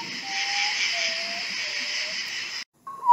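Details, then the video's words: A common potoo, known as the ghost bird, gives a mournful series of whistled notes, each lower than the last, over a steady insect-like hiss. "Sonido del guajojo Nictibio urutaú Ave fantasma"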